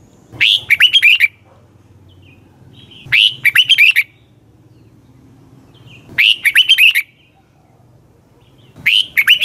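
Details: Red-whiskered bulbul singing in the morning, a fired-up training song meant as decoy calls for other birds: short bubbly, warbled phrases of quick rising-falling notes, repeated about every three seconds with silent gaps between.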